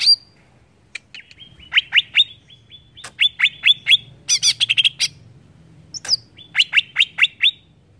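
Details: A greater green leafbird sings to stir up rival leafbirds, giving loud, steeply falling chirps in rapid runs with a burst of harsh, dense notes midway and a short slurred whistle before the final series.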